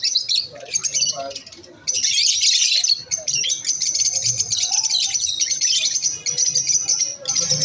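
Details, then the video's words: Several masked lovebirds keep up a near-continuous stream of high, scratchy chirps and squeaks after a brief lull near the two-second mark. "Lovebirds chirping sound | | Beautiful | | Masked Lovebirds"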